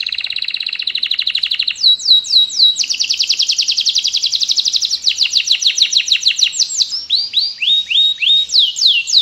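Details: Canary singing energetically: a fast buzzy trill gives way to looping upslurred whistles, then rapid clicking rolls and clear rising notes repeated about three per second, all high and bright.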